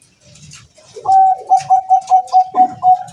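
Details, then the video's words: House-kept Bangkok-type zebra dove singing in strong wind: a clear, steady series of short, evenly spaced mellow coo notes at one pitch, about eight in quick succession after a lower lead-in, with faint rustling below. "meskipun angin kencang tetap bunyi perkutut bangkok penghuni rumah"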